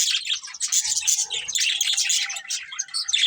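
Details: Budgerigars chirp while eating, producing a continuous, bright chatter of rapid buzzy chirps and warbled twitters from several overlapping birds.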